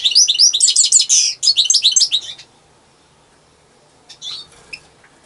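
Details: Solitary European goldfinch delivering a dense, fast stream of high, liquid twitters and buzzy notes for over two seconds, then falling silent apart from a few soft chips near the end.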